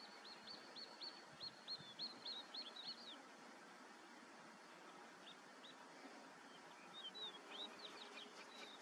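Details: A common snipe (Gallinago gallinago) calls with quick, high, clipped notes, about three a second, in two bursts over a steady hiss of wind and ambient noise.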